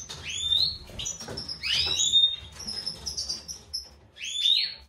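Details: Breeding pair of European goldfinches, a white-throated mutation male and classic female, giving separate bright upward-sweeping chirps and short twitters with gaps between them, over faint low background noise.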